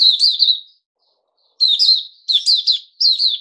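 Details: A captive Puteh Raja bulbul, given fruit juice and a mealworm, delivers rich rolling chirps in bursts, one phrase, a second-long silence, then three fast phrases one after another.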